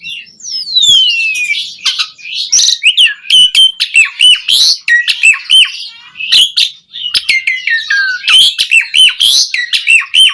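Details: Asian pied starling in full song, meant to rouse caged birds: opening with a long descending whistle, then a steady torrent of slurred whistles, clicks and squawky chatter.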